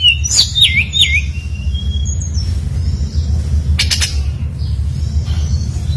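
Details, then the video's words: Brown-chested jungle flycatcher lure song used to draw other birds into singing; a few looping whistled notes near the start, a thin high whistle, then sparse clicks over a quieter low-rumbling background. "SUARA BURUNG SRDC GACOR FULL NEMBAK ISIAN"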